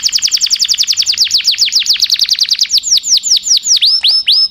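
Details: Canary long song used for tutoring other birds: a fast, rapidly repeated trill of bright, downward-slurred whistled notes, about eight per second, slowing slightly into wider swooping notes near the end, with no other clear sounds.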